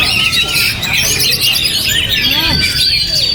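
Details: Oriental magpie-robin, a kept bird, performing despite strong gusts: dense, busy high twittering with quick sweeping whistles and trills running throughout, wind noise constant in the background.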